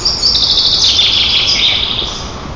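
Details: White-tailed eagles at a nest in Nizhnyaya Kama National Park, Tatarstan, on 18 June 2024, recorded by a nest camera while one teases its sister and flaps its wings. A high, thin squealing call runs almost unbroken for about two seconds over a steady hiss.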